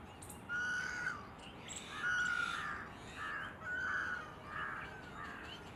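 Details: Red-naped ibis in Gujarat, India, giving four loud, harsh, nasal drawn-out calls about a second apart, each slightly strained, over steady rushing background noise.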